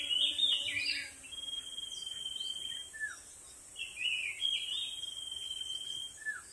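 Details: White-rumped shama in the wild, singing strongly but at a distance: high, bright twittering bursts alternating with long, level, piercing whistles, over a faint hiss of background noise.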